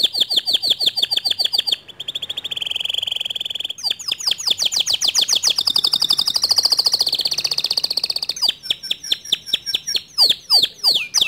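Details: White male canary delivering a long varied song of rapid rolling trills, shifting from bright high rattles to a lower warbled tour and back to sharp repeated notes.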